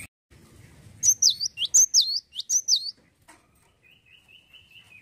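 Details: Cinereous tit singing with cute behaviour: three fast, high swooping phrases, then a long, thin, steady whistle held for over a second.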